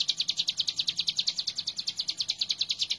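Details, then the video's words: Energetic hill prinia song from a master recording used to train birds: steady, closely spaced high chip notes, about two and a half each second, with no pause throughout. "Ciblek gunung super gacor"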